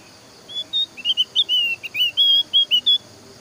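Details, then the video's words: Javan grey-throated white-eye song used as a lure to prompt other white-eyes to sing: a quick run of clear, high whistled notes, some rising and some falling, over faint low background hum. "KICAUAN BURUNG OPIOR JAWA MEMANCING BURUNG YANG LAIN AGAR IKUT BERBUNYI"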